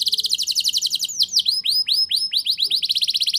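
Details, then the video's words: Canary song with rolls and high shots, played to encourage young canaries to sing: a quick rattling roll, a run of loud falling slurred notes, then another rapid roll. "Suara Burung Kenari Gacor Ngerol Nembak! Ampuh Untuk Pancingan Kenari Paud Biar Bunyi"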